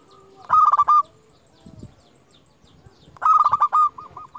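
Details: Local zebra dove, a champion lure bird used for calling rivals and stirring other doves to sing; two loud rolling, purring trilled phrases at a steady mid pitch, each under a second, spaced about two and a half seconds apart, faint low thumps between.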